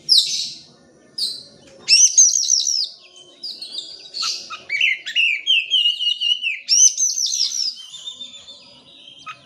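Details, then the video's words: Lure song of an oriental magpie-robin, used to stimulate birds that will not sing: bursts of shrill chattering notes, then a string of clear whistles and sharp upslurred phrases. "PANCINGAN KACER MALAS BUNYI,, LANGSUNG NYAUT"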